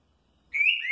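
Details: Green-winged saltator, a kept bird, singing the Curril Curril Rô style: a brief bright whistled note that rises slightly, then a second note starting lower, the phrase cut short.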